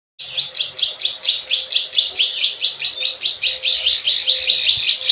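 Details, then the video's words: Plain prinia lure recording in the 'klik klik ciwah' style: a steady run of dry, buzzy high chirps repeated about twice a second, growing denser and louder toward the end, with a faint low hum beneath. "SUARA PIKAT PRENJAK SAWAH_KLIK KLIK_CIWAH"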